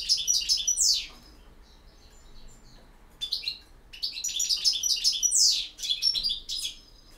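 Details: European goldfinch in campero song: fast tinkling twitter with bright downward-sweeping notes, a pause of about two seconds, then a longer run of jumbled chirps and trills.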